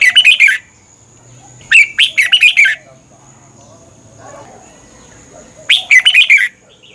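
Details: Red-whiskered bulbul song from Thailand, meant for training caged birds or making them excited: clustered, ringing whistles in three bursts, each a quick run of falling notes, with faint background chirps between.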